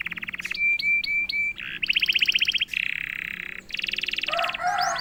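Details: Vigorous 'gacor' canary song, started by one prompt: alternating buzzy trills, piping repeated notes and rattling rolls in quick succession, closing with lower warbled notes.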